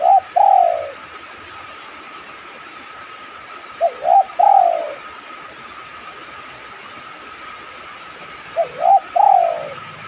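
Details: Three cooing phrases from a spotted dove, each of short notes and a long falling coo, spaced about four seconds apart. The cooing is used as a lure so other doves will respond, with a constant low hum behind.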